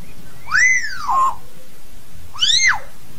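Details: Hill myna calling to its flock: two loud, pure, arching whistles about two seconds apart. The first swoops up and then falls into a short level tail, and both carry rich, bright overtones.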